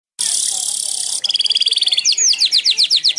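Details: Weaver (manyar) singing: a loud, sizzling buzz held for about a second, then a fast run of clipped repeated notes, a sharp downslurred whistle, and a rapid series of short slurred notes.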